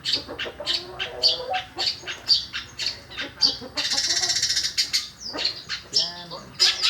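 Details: Long-tailed shrike copying sparrow calls: quick, bright chirps and short twittering notes, broken midway by a second of buzzy rattling, then more chirps.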